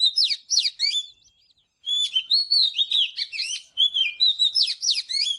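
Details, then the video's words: Oriental magpie-robin morning song for training: loud, dense strings of whistled notes and quick upward sweeps, a brief silence, then a long rambling run of warbled whistles and chips. "เสียงนกกางเขนบ้านหรือนกบินหลาขี้ควายใต้ Chòe than HÓT SÁNG|| Luyện chòe HÓT GIỌNG GIỪNG"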